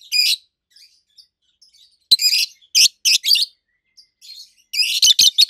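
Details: Loud, solid, high chirping from two adult roseicollis lovebirds: strong harsh bursts repeated in quick groups, with brief quiet gaps and soft notes between.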